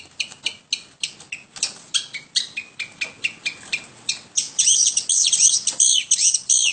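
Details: A long-tailed shrike kept at home starts with rapid sharp chips, then breaks into a louder, denser run of scratchy, warbling high notes during the second half.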